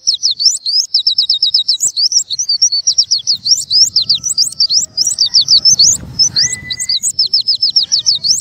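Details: Oriental white-eye in full song: a fast, unbroken stream of high, sharp chirps and rattling trills, several notes per second, sweeping up and down. A faint low rumble sits underneath, and a single thin drawn-out whistle sounds near the end.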